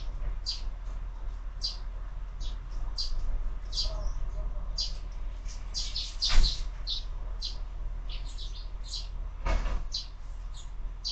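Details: Sparrows at a window-mounted bird feeder on a morning, steady stream of short high chirps, two sharp knocks, constant low rumble behind.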